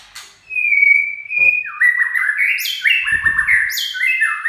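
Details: Song run ('chạy cầu') of a white-rumped shama: a sustained clear whistle followed by a fast cascade of stepped, rising and falling whistled notes with bright high overtones and a soft low rustle.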